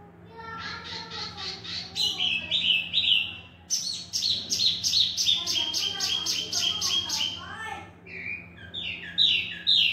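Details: Male Wambi mini, also called tieumi, originally from Vietnam, singing actively. Rows of fast, repeated high chips and whistled notes form long rattling phrases, with a slower descending series near the end. Human voices murmur in the background over a steady hum.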